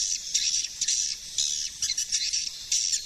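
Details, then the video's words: Swiftlet suara panggil from 2020: high, harsh chittering phrases of about half a second each, with faint clicking between them, repeating irregularly. "SUARA PANGGIL BURUNG WALET TERBARU TAHUN 2020"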